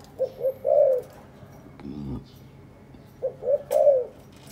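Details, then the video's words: Captive breeding pair of spotted doves, kept together for three days, preening each other and carrying material to build a nest: two low cooing phrases, each two short notes and a longer drawn-out coo, with a soft rumbling thump between. "Cu gáy sinh sản"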